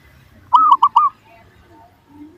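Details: Zebra dove calling as a lure for other doves: one clear phrase of three short arched coos in quick succession, followed by quiet low background rumble.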